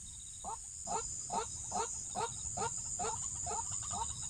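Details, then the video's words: Short burst of waterhen calling linked to trapping, the bird giving evenly spaced throaty clucks a little over twice a second against low rumble and a steady high whine. "Waterhen ดักนกกวัก cuab qaib deg"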